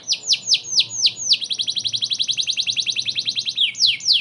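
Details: Singing canary meant for training White-rumped shamas: a series of slurred descending whistles followed by a long, fast, regular trill of crisp notes and closing swoops.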